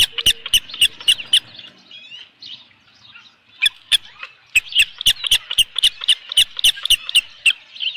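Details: Osprey at a nest at Dunrovin Ranch on 15 July 2018, around 7:55 PM, as an adult brings in a large headless fish: sharp, high whistled chirps in rapid series, about four per second, with a brief quieter pause midway.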